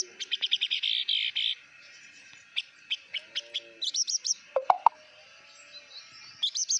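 Blue-winged minla opening with a fast, high twittering run of notes, then scattered thin chirps and a few sharp upslurred notes, over faint background hiss.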